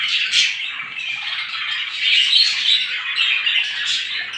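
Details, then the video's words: Morning twitter of numerous small birds, high rapid chirps forming a steady mass with some clearer whistled notes popping through. "صوت العصافير في الصباح"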